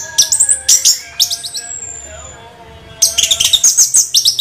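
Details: Orange-headed thrush, a songbird with a continuous rolling song: bursts of high, varied chirps and twittering notes, a gap with a faint thin whistle, then another dense run of sharp warbled phrases.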